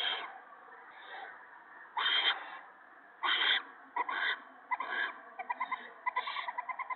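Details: Owlets fed a gopher by an adult owl at the nest, March 2017 evening; several loud raspy hissing screeches, then a quick series of short clicking, ticking pulses toward the end.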